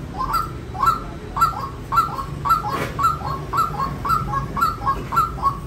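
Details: Regular series of short upswept calls from a white-breasted waterhen, almost two per second, with a faint broadband noise burst midway and low hum throughout.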